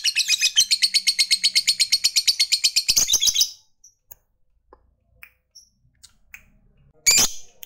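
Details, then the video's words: Ngekek of a lovebird fighter, meant to provoke opponents: three and a half seconds of rapid, regular shrill chatter, then near silence with faint ticks and a final short harsh burst. "Ketikan Labet ini Merangsang Lovebird Fighter Cepat Narik Ngekek"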